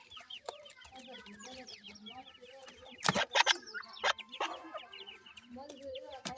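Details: Grey francolin young peep in fast, irregular runs of thin, falling notes, with a burst of loud knocking noises partway through.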